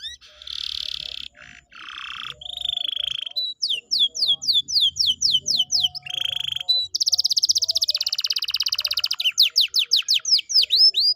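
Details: Canary song played as a lure to coax a quiet canary into singing: loud, varied phrases of buzzy rolled trills and long sustained warbles, then fast series of sharp descending whistled sweeps, about two per second, ending in rapid repeated notes.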